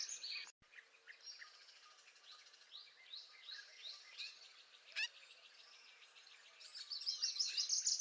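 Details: Spring song of a northern parula: a loud, high buzzy run of rapid notes closes the clip, after several seconds of mixed chirping from other birds in the background.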